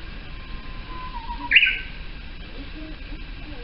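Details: Japanese bush warbler; song; breeding song in spring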